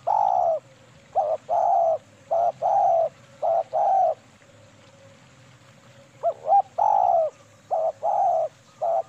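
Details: Female spotted dove giving KUK 2 manggung song as a bird-catching lure: repeated mellow coos in short-long pairs, a pause of about two seconds midway, then more paired coos, faint hum throughout.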